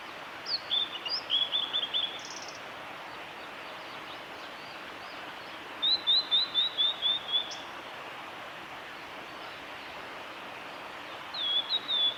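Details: Male blue-and-white flycatcher singing on 25 April 2016 along the Kanazawa forest road at Lake Miyagase, Japan: high thin phrases of rapid repeated chirps, three bursts over twelve seconds, over a steady background hiss.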